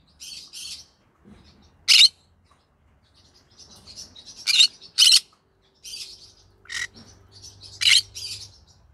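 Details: Green-cheeked conure singing in the evening, mixing soft high chattering with sharp, loud broadband squawks every second or so, and a faint low hum underneath.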